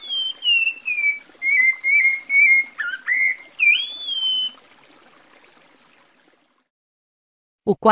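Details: Cocoa Thrush song, Brazil: a run of clear, whistled phrases, gliding and warbling in mid-high pitch, about two per second for four seconds, then silence and a brief thump.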